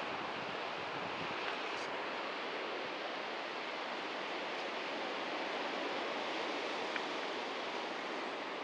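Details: Steady broadband rush of water or surf in rural New Zealand, even and unbroken throughout with no animal calls.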